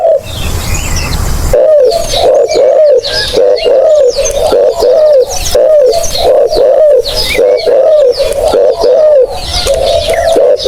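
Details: Spotted dove, recorded as a lure for hunters, gives a long steady series of low husky coos, about one per second, each slightly rising then falling. A brief noisy rumble comes at the start.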